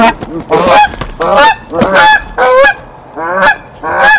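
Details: Decorah Canada geese on 1 April 2024 defending the nest from an intruding goose: loud, broad, raucous honks in quick succession, about six in four seconds, harsh and bursting.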